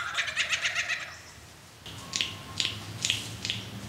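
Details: Male lyrebird in Australia dancing to attract a mate, singing a burst of rapid repeated high buzzy notes, then a pause and four sharp, evenly spaced clicking notes.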